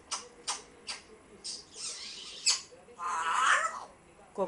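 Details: African grey parrot producing several sharp clicks followed by a harsh, broadband squawk lasting about half a second, then another short rising note.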